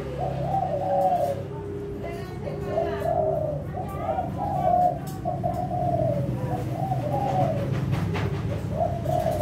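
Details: Adult breeding-stock Kelantan-type spotted dove, a competition-class bird kept at a breeding pen in Sukorejo, Situbondo, Indonesia, coos steadily in low, hoarse phrases that repeat every second or two. A low hum and faint human speech sit underneath.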